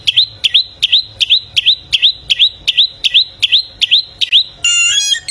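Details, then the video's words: A bare-throated whistler, known locally as golden samyong, from Flores in East Nusa Tenggara, Indonesia. It repeats a bright, rising chirp about twice a second, a dozen times in a row, ending in a burst of rough electronic noise. "AMAZING SOUND OF THE GOLDEN SAMYONG BIRD"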